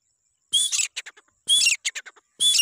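Grey francolin calling loud, harsh, high ringing phrases about once a second, each a strident burst trailed by three or four quick clipped notes.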